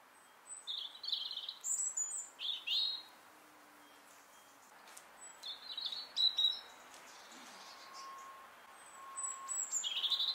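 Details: A robin singing in a garden in Iran gives short, high, thin warbled phrases with pauses between them, some notes sliding and trilling, over a faint steady hum.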